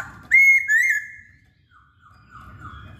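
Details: Actively singing masked laughingthrush (Poksay Hongkong): a brief pair of bright, slightly wavering whistles, then near silence with faint trailing notes.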